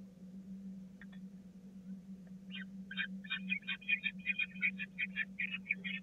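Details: At feeding time on 16 April 2019, young peregrine falcons at the Catharinakerk nest press toward the adult. A few scattered notes build into rapid, dense, rasping begging calls several times a second, over a constant low hum.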